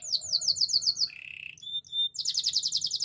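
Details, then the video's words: Spanish timbrado canary song meant for training, made of a rapid sharp chipping trill, then a lower buzzy roll, brief clear metallic pings and a return to quick bright repeated chips. "Canary singing for training - Spanish timbrado song"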